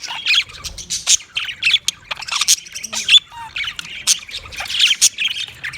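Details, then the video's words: Budgerigar chattering nonstop with scratchy, high chirps and clicks, broken by a brief lower whistled note about halfway through. "Funny Budgie | Funny Budgies Sounds"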